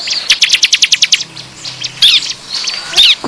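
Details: Bar-winged prinia lure call meant to attract wild birds: a fast series of about ten sharp, high ticking notes in the first second, then a pause and scattered squeaky chirps.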